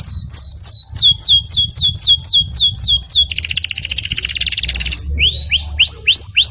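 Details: Singing canary in a master tutor recording: a long run of clear descending whistled notes, about four per second, breaking into a rapid buzzy trill, then rising upslurred whistles; soft low hum behind.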